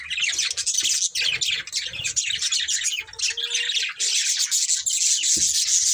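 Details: Budgerigars in a pet family keeping up a constant dense chatter of high chirps and warbles throughout, with a faint steady tone mid-way and occasional low knocks.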